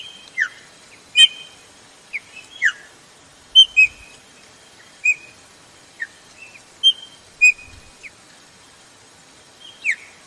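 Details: Female Chopi blackbird calling to excite males: short clear whistled notes and quick downslurred chirps, scattered irregularly about twice a second, with some sharp clicks between them.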